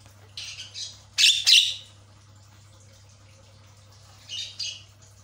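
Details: Javan myna lure to make silent captive mynas chatter: harsh, scratchy squawks and chattering notes in a few short bursts over a steady low electrical hum.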